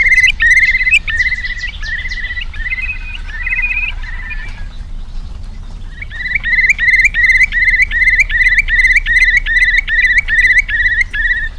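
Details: Eurasian curlew song: bubbling, fluty notes repeated in quick succession, a brief pause, then a long, evenly paced run of rising bubbling notes, about two or three per second.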